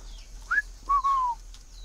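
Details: Captive tame male Chinese francolin in Vietnam, calling in the winter season: one brief upward-sweeping note followed by a long, steady, slightly falling whistled phrase, loud and clean against a quiet background.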